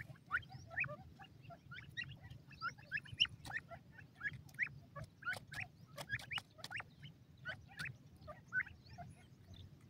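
A francolin gives harsh, scratchy clucking notes in irregular bursts, some sharp and clicking, over a steady low background hum.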